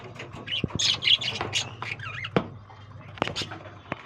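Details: Colony of breeding lovebirds giving scattered harsh squawks, quick chirps and a few warbled, wavering notes, with louder bursts early on and sparser calls later.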